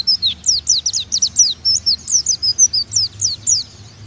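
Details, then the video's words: Oriental white-eye, a Bakalan bird, singing a lively run of high, thin, down-slurred whistled notes, about four per second, with a faint low hum behind. "Pleci Bakalan Nembak"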